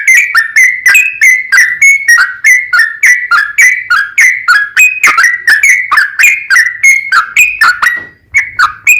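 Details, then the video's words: Long lure song of a sooty-headed bulbul: a continuous chain of clear whistled notes, each starting sharply and bending down, delivered rapidly and evenly with barely any pauses. "TRUCUKAN GACOR ROPEL PANJANG Buat PAncingan TRUCUKAN agar Bunyi"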